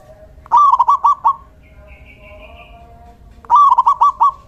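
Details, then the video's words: Local male zebra dove decoy song, two matching phrases three seconds apart, each a rising coo then a run of rapid bubbly notes; a faint thin whistle from another bird sounds between. "Suara perkutut lokal jantan GACOR"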